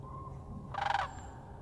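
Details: A single rolling, rattling bugle from a Sandhill Crane flying overhead a frozen marsh in winter, about a third of a second long, over a low steady rumble of water running under ice.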